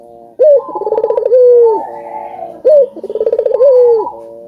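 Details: Collared dove (burung puter), an albino bird singing vigorously to encourage other doves to call; two clear phrases, each opening with a quick rising note, then a throbbing pulsed roll and a long falling coo.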